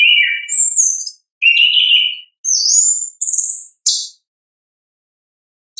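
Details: Orange-headed thrush singing its natural song, a lure for caged birds: a string of loud clear whistled phrases alternating low and very high, some sliding down, with a short buzzy burst before falling silent.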